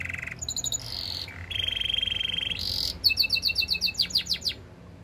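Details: Canary song made of fast trilled tours: a steady high buzzy trill, then a lower rolling trill, ending in a series of rapid descending whistled sweeps repeated about six times a second, with a faint low hum beneath.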